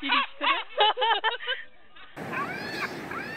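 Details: Laughing gulls give a string of rhythmic, yelping notes about four per second, followed by a noisier passage with drawn-out wailing cries over background hiss.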